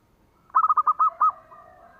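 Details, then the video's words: Local zebra dove (perkutut) song used as a lure to set other doves singing: a mid-pitched cooing phrase of five quick staccato notes, then two longer drawn coos, ending in a faint trailing hum. "SUARANYA BIKIN YANG LAIN BUNYI"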